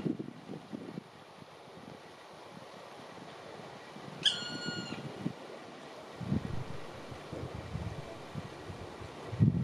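A black woodpecker gives one drawn-out, plaintive, even-pitched note lasting under a second, over low rumbling wind and handling noise.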